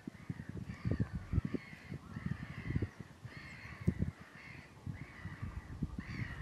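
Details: Common mergansers, a pack of mostly males chasing each other while following a few females in courtship, Fyrisån, early spring, April 2 2022; nasal harmonic calls repeated about every second over constant low rumbling noise.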